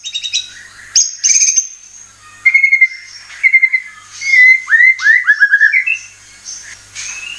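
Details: White-rumped shama (murai batu) lure recording meant to set birds singing: clear whistled phrases, some steady and level, others sliding down, broken by short gaps and sharp chips.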